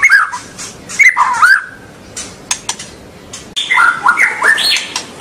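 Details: White-rumped shama song for stimulating young birds to sing: twisting whistled phrases with sharp clicks, a quieter stretch of scattered ticks, then a dense, loud burst of overlapping whistles and trills.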